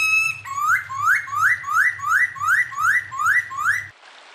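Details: Clear master recording of an unusual bird for tutoring kept songbirds. A sharp upward-swept whistle repeats roughly every 0.4 seconds, about nine times, over a low hum, then ends in a brief hiss.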